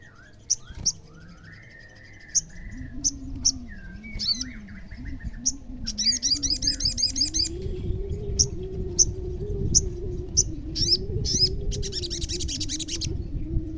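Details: Olive-backed sunbird singing to provoke other sunbirds into replying. Scattered sharp high chirps and short rapid bursts sound over a steady, wavering low hum throughout.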